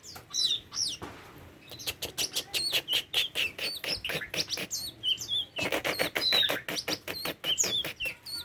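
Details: Song of a tame Oriental magpie-robin: a rapid run of sharp, clicking ticks interleaved with clear whistled slurs and higher squeaky notes, packed densely over several seconds with a short gap near the start.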